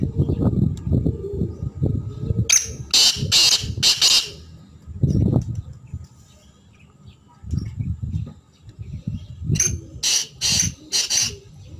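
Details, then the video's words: Black francolin calling: two bursts of four or five harsh, grating, broadband notes in quick succession, separated by several seconds, over low rumbling background noise. "kala teetar ki chhk and awaz"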